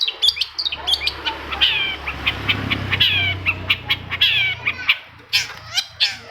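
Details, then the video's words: Long-tailed shrike song meant to stir up shrikes that have stopped singing: dense, scratchy chattering phrases and rising squeaky notes over a steady low hum throughout. "TOETAN BURUNG CENDET INI COCOK BANGET UNTUK MENAIKKAN EMOS1 CENDET YANG MACET AGAR MAU BUNYI"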